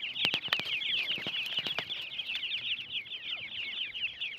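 A crowd of francolin chicks peeping nonstop, thin high chirps overlapping into a steady chatter, with a few sharp taps or knocks early on.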